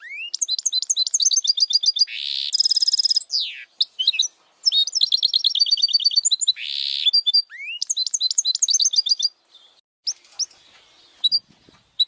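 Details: Goldfinch hybrid (mule) sings a fast, high, twittering song with bright trills and harsh buzzy bursts, used as a training song.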